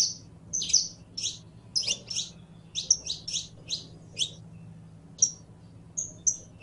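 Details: Saffron finch, called canario criollo, singing: a run of sharp, high chirps and buzzy downslurred notes, about two each second, with a few thin pure whistles near the end over a faint low hum.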